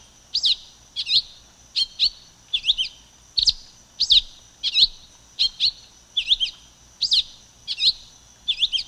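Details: Rhythmic series of high, quick chirp doublets by a silver-beaked tanager, about eleven phrases at steady intervals under a second, each a rising and falling slur, little else heard.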